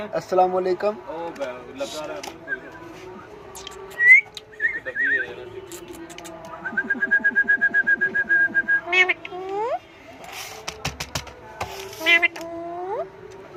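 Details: Talking parrot mixing speech-like syllables with whistled notes: warbling tones, a rapid buzzy rattle of repeated pulses near the middle, and upward-sweeping whistles repeated toward the end. Music plays faintly in the background.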